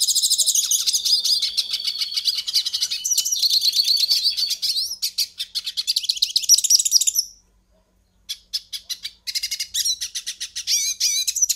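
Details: Loud, dense hooded siskin song used to warm up a captive bird: rapid buzzy trills and tumbling high chirps for about seven seconds, a short silence, then more twittering with clipped whistled notes.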